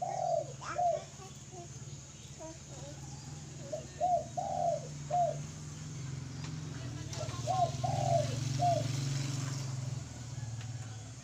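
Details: Spotted dove cooing in phrases of three or four soft, hollow, low notes, the longer middle coo slurring downward, repeated twice with a pause between; a steady low hum runs underneath.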